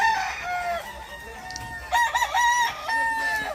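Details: Rooster crow with a brief strained opening, then a pause and a strong, ringing crow that rises and holds steady for over a second before trailing off. Fainter crowing answers in the background.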